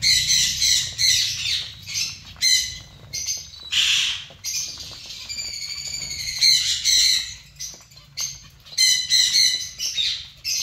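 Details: Many zebra finches in a colony give bright, stacked nasal calls in clusters, with steadier tonal notes around the middle and occasional wing or movement noise between bursts.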